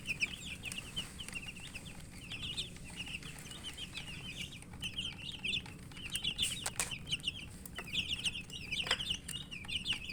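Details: Chicken chicks chirping while eating; a constant stream of high, short peeping notes from several chicks, with pecking taps and clicks throughout.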